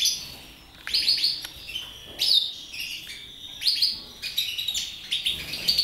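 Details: Goldfinch of a colour mutation, kept in captivity, singing in short bursts of bright tinkling and buzzy trills, each separated by brief pauses, steady throughout.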